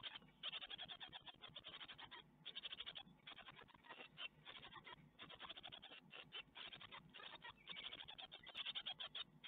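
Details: Great tit nestlings in a nest at Ostwald on 12 May 2021, being fed a spider: dense, rapid bursts of high, scratchy chirps, repeated in runs of about one second with short pauses between.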